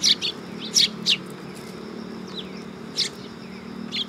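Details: Several sparrows at a Tenmangu shrine coming onto a raised platform, 3 September 2022, giving short, high, scratchy chirps in small clusters with pauses between them, and a low hum underneath.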